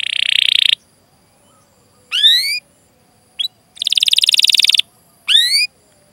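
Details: Canary training recording used to prompt other canaries to sing: short separated bursts, a dense buzzy trill, quick rising chirp clusters, a longer rattling roll, with quiet gaps between phrases.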